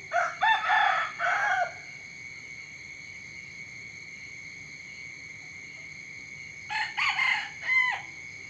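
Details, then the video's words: Chicken crowing in the morning: a burst of harsh crowing syllables at the start, a long quiet stretch filled only by a thin steady insect-like whine, then a second set of rough crowing notes near the end. "เสียงไก่ขันตอนเช้า เสียงไก่ขันฟังต่อเนื่อง ชัด100%"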